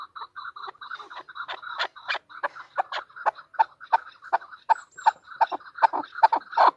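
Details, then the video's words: Female chukar partridge calling with soft introductory clucks that build into louder, sharper chuck notes, irregular in rhythm, on a quiet background. "chukor|chowkor|chokor|female partridge is calling|female birds|مادی چکور کی آواز|مادی چکور کی بولی۔"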